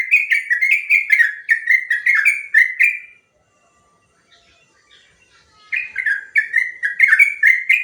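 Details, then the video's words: Sooty-headed bulbul, a long rapid song used to train other birds and provoke replies: bursts of bubbly, slurred whistles near one pitch, repeated quickly, a quiet gap of about two seconds, then the run resumes. "Suara burung trucuk ropel panjang"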